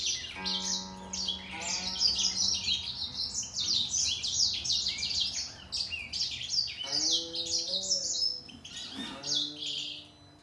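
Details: Singing fight between a grey singer finch and a green singer. A dense cascade of sharp high chirps and warbles, with a couple of lower sliding notes near the end.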